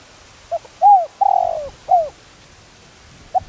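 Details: Calling spotted dove used as a lure for training birds: a brief note, curved coo, long sliding coo and a last arched coo, clean and loud.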